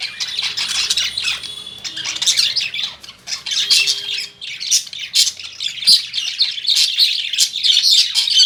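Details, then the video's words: Caged lovebirds at home chirping: harsh, shrill squawks and chatter packed closely together, with a brief lull midway before the noisy calling resumes. "Love Birds Chirping"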